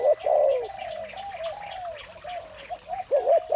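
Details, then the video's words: Spotted dove in the morning giving soft, low cooing notes that run together into a murmuring string, with a louder, fuller coo at the start and the end. "Một buổi sáng tràn ngập niềm vui từ tiếng chim cu gáy"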